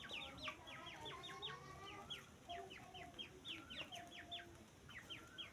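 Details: Continuous peeping of grey francolin (teetar) chicks. Quick downward-slurred whistles come in dense groups, with faint softer tones and a hum underneath.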